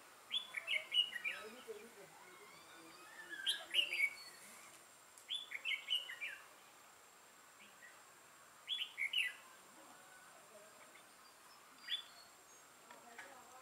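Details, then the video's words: Red-whiskered bulbul with a dark throat and bold bib, a decoy bird used for trapping, recorded 6 November 2018; several short warbled phrases of bright whistled notes spaced by gaps of a few seconds, with faint lower chirps behind. "Bẫy chào mào Mào lân hầu bò yếm đậm"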